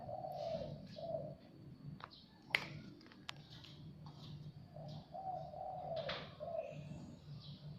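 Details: Zebra dove, a Javanese bird that came to a house by itself, giving soft trilled coos around 600–800 pitch band in two bursts, early and late, with clicks, taps and faint chirps from other birds between.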